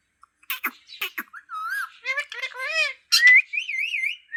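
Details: Green parrot mixing clicks with drawn-out, speech-like arched syllables, then a loud sharp whistle that runs into a wavering trilled whistle.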